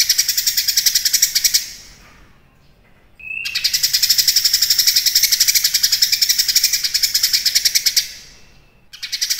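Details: Cucak kinoi delivering rich song: repeated bursts of rapid buzzy rattle, the longest nearly five seconds, separated by short pauses, with a short clear whistle between bursts.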